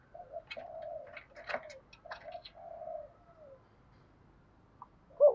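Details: Decoy spotted dove calling to draw in wild doves, giving a series of soft, low drawn-out coos mixed with light clicks and taps, then a brief louder note at the end.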